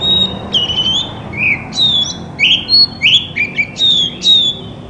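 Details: White-rumped shama song for stirring silent shamas to answer; loud, clear whistled phrases, each a slurred rising or falling note, spaced about half a second apart.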